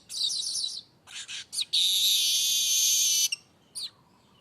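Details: Streaked weaver singing nonstop: a buzzy trilled phrase, a few rasping notes, then a long loud sizzling buzz and a final chip.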